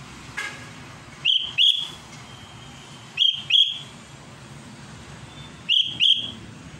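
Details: Sooty-headed bulbul singing to call out a rival: clear whistled notes given in close pairs, each pair repeated about every two and a half seconds over a low steady hum.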